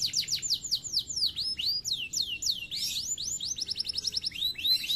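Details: Singing canary pours out a continuous high stream of swooping, slurred notes, some rising and some falling, shifting into quick rattling trills near the end.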